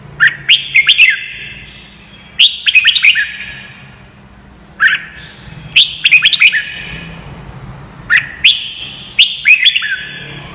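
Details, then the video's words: Red-whiskered bulbul song for teaching young birds to sing: repeated short phrases of crisp chirps and warbled slurs, each burst quickly following the last, over a soft steady low-pitched hum. "CHÀO MÀO | Luyện giọng chim hót cực hay - luyện má trắng nhanh học giọng"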